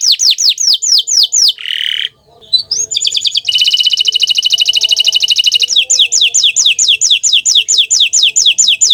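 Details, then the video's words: Green canary, bottle-green colour form, in full song: fast runs of descending whistled sweeps repeated several times a second, a harsh buzzy burst, then a long dense rapid trill before more repeated downward-swept notes; faint low hum beneath. "Suara Merdu Burung Kenari Hijau Botol"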